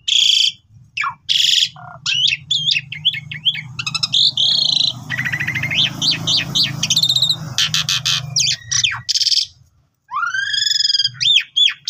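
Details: Asian pied starling delivering gacor mompa song as a training master: loud scratchy bursts and chatter, then a busy stretch of trills and buzzy notes over a low hum, ending with several upward-arching whistles.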